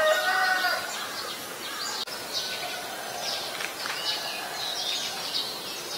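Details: White-vented myna recorded in Ubon Ratchathani, Thailand, on 11 January 2021: a few short tonal notes open the recording, followed by harsh, scratchy chattering bursts over constant background hiss.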